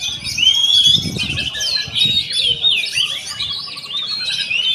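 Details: Continuous high, varied oriental magpie-robin song: bright whistled slides mixed with buzzy chatter, plus a quick series of soft evenly spaced ticking notes near the end, with faint low rumble beneath.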